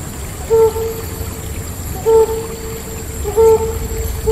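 A hornbill gives three hollow, level hooting notes, roughly one every one and a half seconds, over a steady background hiss.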